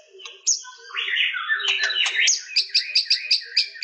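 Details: Shama song with a harsh rasping phrase followed by a crisp high chip note repeated about eight times at an even pace.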